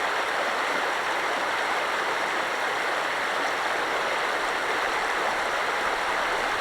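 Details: Continuous rushing of a stream, a steady broad hiss of flowing water with no animal calls audible.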